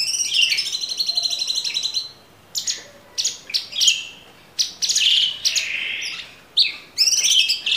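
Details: Tembakan song of a cage-kept Orange-bellied Leafbird, used as training material: a rapid high trilled run opens, then a series of sharp clipped whistles and slurred rising notes follows in quick succession.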